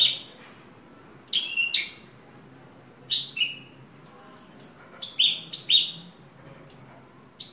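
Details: Ringed, kept Horsfield's bush lark sings short bursts of bright, high chirps and buzzy slurred notes, phrases coming every second or two, over a faint low hum.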